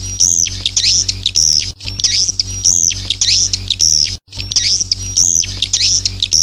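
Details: Swiftlet lure sound for a new nesting building: repeated rising whistled chirps mixed with buzzy twittering at a steady rhythm, over a constant low electrical hum.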